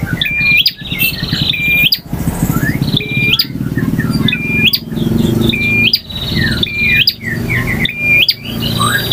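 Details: Male bar-winged prinia in full varied song, styles ngotot, ngalun, variasi and kristal: a flat high whistle ending in a sharp upward flick and crack, repeated about every 1.3 seconds, with scattered softer chirps over a low steady hum.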